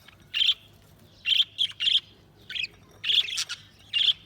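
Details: Budgie chirps come as separate short, sharp bursts, single or in pairs, about every half second to second, with quiet gaps between and a low steady hum beneath.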